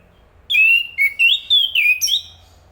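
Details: Thrush song: a string of clear whistled notes, mostly level or gently rising and falling, each about a quarter second long and run together in a short phrase, with quiet background.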